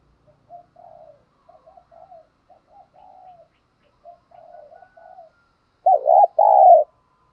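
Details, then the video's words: Decoy spotted dove cooing to draw and provoke other doves: a run of soft, low, slightly falling coo phrases, then two loud, full coos near the end. "Tiếng Chim Cu Mồi Thúc Và Gáy Gọi Căng Lửa Chuẩn Kích Bổi"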